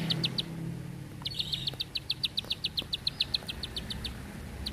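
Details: Bar-winged prinia singing a long, tight burst meant for training birds. A brief opening of three notes is followed by a long, even train of rapid, high, metallic ticks. Faint low hum behind.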